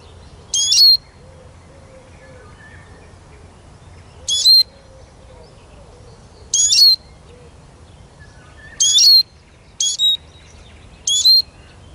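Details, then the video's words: Eurasian siskin repeating brief high whistled notes that dip and bend, six bursts spread irregularly across twelve seconds against a soft low hum. "Как поет чиж"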